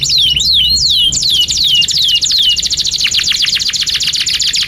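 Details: Canary in continuous gacor song, cuit cuit nembak style, used as tutor song for young canaries learning to sing. Looping downward whistles repeated about twice a second, followed by a fast, rattling high trill of steep downstrokes.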